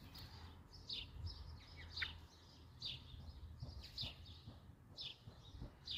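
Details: Eurasian blackbird family with young in the nest; thin, high, downward-slurred notes repeated roughly once a second over a low background hum.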